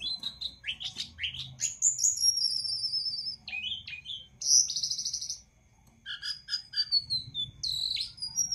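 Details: Jongkangan singing energetically, recorded as a master song for training other birds: a varied string of high whistles, sharp rising and falling notes and short trills with brief pauses, including a near-silent gap before the phrases resume.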